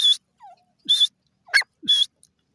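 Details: Desi teetar, a Pakistani francolin, uttering short loud harsh bursts in quick succession, mixed with faint lower slurred notes.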